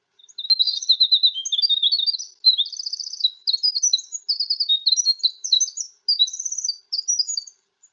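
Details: A Winter Wren, a tiny bird with a big voice, heard in mid-to-late April where spring ephemerals grow, pours out a long, rapid cascade of high tinkling trills and warbles, the notes tumbling and bubbling almost without pause for about seven seconds.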